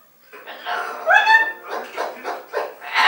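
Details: A pet umbrella cockatoo in another room gives hoarse, speech-like syllables, a rising whistled note, then chuckling, laugh-like bursts about every half second, apparently trying to call its owner.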